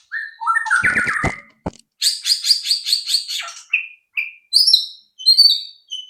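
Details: White-rumped shama song played to spur others to sing: whistled notes and sharp clicks, then a buzzy series of about eight rhythmic high notes, followed by bright separate whistles and chirps.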